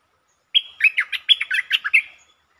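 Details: Streak-eared bulbul recorded 13 February 2023 as a lure bird singing varied long and doubled songs; an energetic burst of about ten liquid, chattering notes tumbling quickly over one and a half seconds, otherwise silent.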